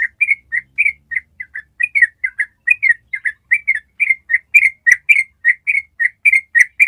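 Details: Master ropel recording of a Yellow-vented bulbul: a fast unbroken series of warbled chirps, almost two per second, clean and even, with scattered sharp clicks near the end.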